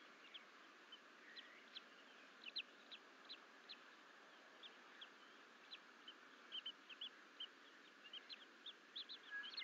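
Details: Twin Bald Eagle eaglets at Fort St Vrain, 14 April 2024, exploring beyond the nest bowl while the adults are away: thin high chirps spaced through the clip, growing denser toward the end, steady hiss behind.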